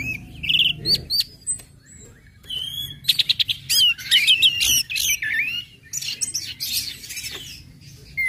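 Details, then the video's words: An Orange-headed thrush sings ngecip, ngecit and ngeplong phrases to spur other birds to sing: warbled whistles, rapid stuttering trills around the middle, then rich slurred notes and chatter. "SUARA ANIS MERAH NGECIP NGECIT NGEPLONG PEMANCING BIRAHI AGAR IKUT BUNYI"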